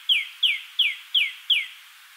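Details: Red-bellied Woodpecker (Melanerpes carolinus) calling at its nest hole, LaBagh Woods, Chicago, May 2013: five sharp, high, downward-sliding notes, about three per second.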